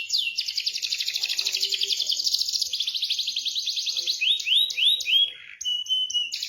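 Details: Canary trigger song aimed at a canary that stopped singing: a long continuous rolled trill, then rising whistled slurs and short high piping notes.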